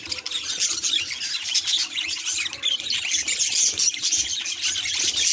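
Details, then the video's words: A mirror sets a budgerigar chattering: rapid high chirps about four a second, blended into a constant scratchy warble. "Budgie Mirror Reactions Hilarious Sound Effects!"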